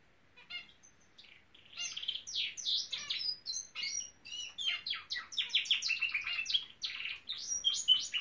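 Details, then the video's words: Pet Norwich canary in song: a few soft notes, then a sustained stream of high chirps, rolls and sweeping whistles, rapid and varied. "Elvis the Nowrich Canary singing!"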